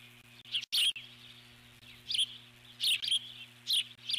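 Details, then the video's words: Nesting eagle keeps alert calling at an intruder bird flying near the nest: short, high, thin chirps spaced irregularly about every second, over a steady low hum. "Intruder At The Nest Eagle or Osprey ?"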